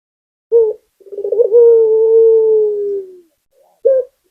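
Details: Single full phrase of a local puter dove: a short opening coo, a pause, then a long bubbling trill flowing into a sustained smooth coo that fades downward, ending with another short note.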